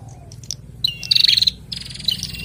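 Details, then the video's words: Caged male and female bar-winged prinias calling back and forth; a brief whistle leads into a dense pulsed trill, then a longer buzzy rattle follows, with faint background hum. "Prenjak Jantan dan Betina Sahut-sahutan Gacor"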